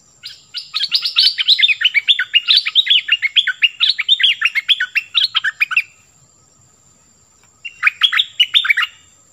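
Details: Long, fast 'phleng boen' song of the nok dok taeng, used to teach young birds and excite wild ones: about five seconds of rapidly repeated bright, descending whistled notes, a pause, then a shorter matching burst.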